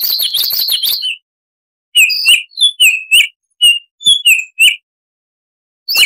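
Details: Baltimore oriole, wild-sounding 'tembakan' song: an opening rapid warbling chatter, then after a pause a series of separate clear whistled notes, several slurring downward, in an irregular rhythm.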